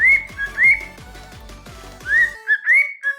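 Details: Pet cockatiels, a normal pied and an albino, whistling a tune indoors after waking: rising whistled notes near the same pitch, repeated in a loose rhythm, over regular low tapping knocks that stop midway.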